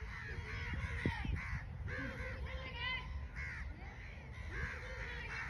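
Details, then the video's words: Crows calling in flight, giving hoarse, harsh caws in quick irregular series over a rough, noisy background with low rumble. "fIying crows || crow bird || original crow sound"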